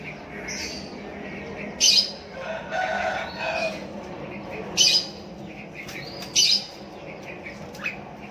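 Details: Sooty-headed bulbul calling to a rival while other bulbuls answer: loud, harsh, buzzy bursts of notes at irregular intervals about every one to three seconds, with softer chirps and twitters between them.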